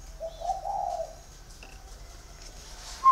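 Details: Male spotted dove kept in a cage for six years in Ba Vì, Vietnam, with a 'giọng thổ' voice: a single smooth, low cooing phrase that swells and fades, then near quiet with a faint click.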